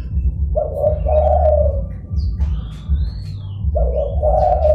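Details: Zebra dove lure call used to attract rival and wild doves: two mid-pitched, rolling cooing phrases, each about a second long with a stuttering start, over a constant low rumble and faint high chirps from other birds.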